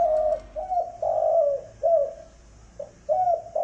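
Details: Spotted doves, a male and female pair, in a recording used to stir up wild doves: loud, close, throaty coos in quick succession, some notes swelling and dipping, over a faint low hum.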